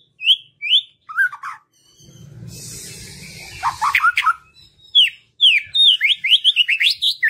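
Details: White-rumped shama song used to coax birds that rarely sing into singing: separate clear whistled phrases, a stretch of low hissing noise, then bursts of fast, varied, rising and falling whistles.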